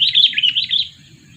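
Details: Quick stream of warbling, fluttering chirps from a two-year-old sooty-headed bulbul used to lure other birds, ending abruptly after under a second, with low background hum.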